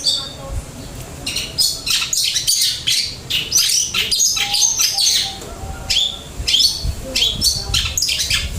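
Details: Long-tailed shrike in a stream of flowing material: quick chattering notes and scratchy bursts, densely packed and rising and falling in loudness.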